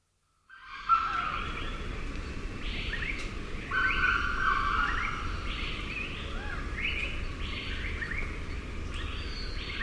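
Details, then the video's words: Grey junglefowl crowing with reply calls in the background: after a brief silence, flat, mid-pitched, slightly rasping phrases stand out near one and four seconds, set among many overlapping rising chirps from other birds and a steady low rumble. "Grey Junglefowl / MD Crows From Junglefowl. Also Some Reply Calls In B/G."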